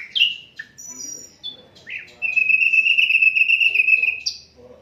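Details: Asian brown flycatcher in an unedited tutoring recording for songbirds: a few sharp chirps and short whistles, then a long buzzy trilled note held for about two seconds, ending with a high chirp.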